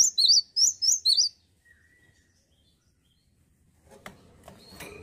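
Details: A short run of bright alternating whistles from a male cinereous tit opens the recording and fades to quiet. Scraping and clattering noises follow near the end.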